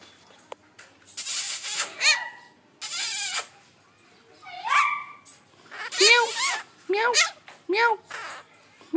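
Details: A parrot that is learning to talk gives a run of harsh, screechy bursts and short arched, meow-like notes, spaced about a second apart, with a person's voice heard between them.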